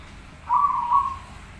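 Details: Zebra dove master song; one short, low, slightly wavering coo of under a second over a soft rumbling background.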